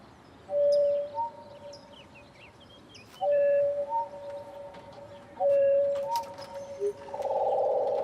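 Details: Song Sparrow song recorded in Los Padres National Forest, California, slowed eightfold: low, drawn-out whistled tones with sliding notes, each phrase about a second long, repeated every three seconds over faint background hiss.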